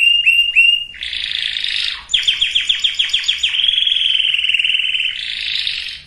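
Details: Canary song for preparing breeding hens and cocks. Three quick rising notes, a buzzy roll, then a rapid pulsed trill of about ten falling notes that merges into a long steady rattling tour.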